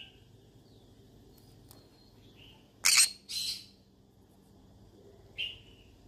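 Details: A yellow-sided conure, described as seeking friends to talk to, utters faint short chirps, then a loud raspy double squawk, followed by a single sharper chirp near the end.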